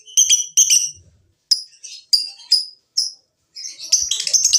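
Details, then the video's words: Lovebird calls used to stimulate singing: a few harsh, high double chirps, then separated sharp squeaky notes and a burst of rough chatter at the end. "Pancingan Jitu Lovebird BUNYI dan Ngekek, menjadikan Lovebird Rajin Bunyi"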